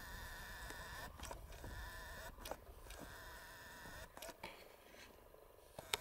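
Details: American flamingos (Phoenicopterus ruber) at a lagoon fish farm on 12 March 2022, a flock giving steady, nasal, goose-like honking chatter broken by a few sharp knocks and clatters.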